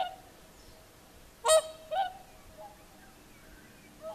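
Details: Whooper swans on the Lake Saimaa shore, Finland, at evening sunset: two strong honking trumpet notes in the middle, with faint softer swan calls before and after.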